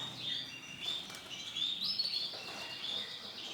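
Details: White male canary giving a brief stretch of high, thin whistled notes and rapid trills, somewhat faint against a soft background hiss.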